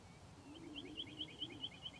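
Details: Western rock nuthatch in İzmir, Turkey, in May 2023, giving a fast series of high, clear notes, about five a second, alternating between two pitches, over a low hum.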